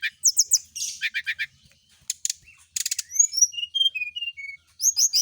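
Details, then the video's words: Brown-chested jungle flycatcher set out in the morning dew so it will sing often; high chirps and quick trilled bursts give way to a series of clear whistled notes, each sliding downward and then rising. "pengembunan SRDC di pagi hari biar rajin bunyi"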